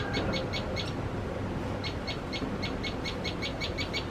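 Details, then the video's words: Common tailorbird, an adult feeding chicks and alarmed by cats, gives sharp, high chip notes in two quick bursts, about four, then a pause, then a steadier run, over a low rumbling background. "Tailor bird fear cats.Makes lot of noise while feeding chicks."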